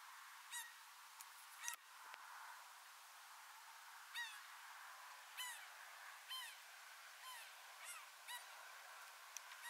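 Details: Laughing gull bathing in Texas in spring 2021; faint, short nasal notes with bright overtones, given singly at irregular intervals about once a second, over steady outdoor hiss and a couple of soft knocks.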